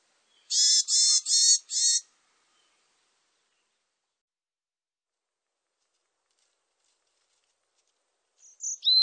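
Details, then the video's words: Varied tit, 2020 recording: four harsh, nasal, buzzy notes given in quick succession over about one and a half seconds, followed by long silence, then a couple of brief, sharp high notes at the very end. "곤줄박이, 여러번 듣기, 곤충소리, 새소리"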